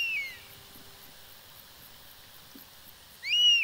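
Two clear, high, plaintive whistles from a European Honey Buzzard, each sliding downward, about three seconds apart, with near silence between.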